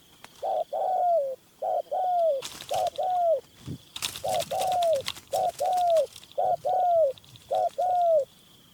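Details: Rapid series of Spotted Dove coos, paired notes with the second longer and falling, repeated about every second during a dove hunt, interrupted by sharp clicking and rattling noises.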